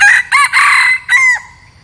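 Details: Red junglefowl decoy bird crowing, kept to lure wild junglefowl: a loud four-part crow of two short clipped notes, a longer harsh middle note, then a final note that trails off, all within about 1.4 seconds over a quiet background.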